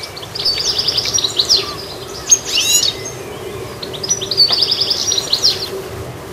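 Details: Goldfinch chirping: bursts of rapid, high, tinkling twitters and short buzzy trills in two main phrases, each about a second and a half long, with a quiet pause between them and faint background noise.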